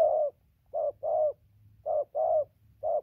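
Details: Spotted dove cooing continuously, recorded 15/11/2020: short, mellow, low-pitched coos, six notes spaced in loose pairs over three seconds, with a soft background hum.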